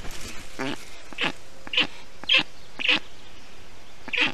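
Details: Black stork chicks in an Estonian nest on 20 June 2021, cooled in hot weather by a parent bringing water and wet grass; six separate short squeaky, nasal calls spaced roughly half a second apart over a quiet background.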